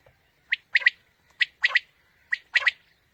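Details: Quail call played to lure quail for morning hunting: a crisp three-note phrase, one sharp note then a quick double note, repeated about once a second over a quiet background.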